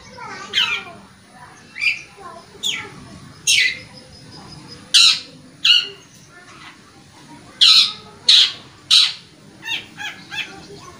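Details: Long-tailed shrike used as a lure to get caged birds singing again, for stressed, young, mute or silent birds: harsh, scratchy chattering notes, loud and bursting roughly once a second in an irregular series, over a faint low background hum.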